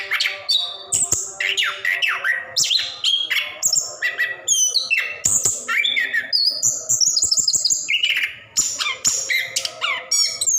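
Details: Orange-headed thrush kept caged, giving a continuous 'ngerol' song used to prompt silent birds; swooping slurred whistles, harsh buzzy bursts and high repeated notes follow rapidly throughout, over a faint background hum.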